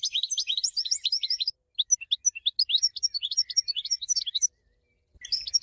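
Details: European goldfinch singing a rapid, tinkling twitter of high liquid notes and short trills in bursts, broken by a brief pause mid-phrase and a silent gap before a final burst.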